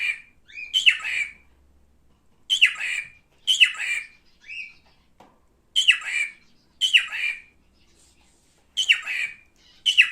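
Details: Male cockatiel at home giving harsh descending screeches in pairs, each pair spaced a few seconds apart, with one short rising whistle between.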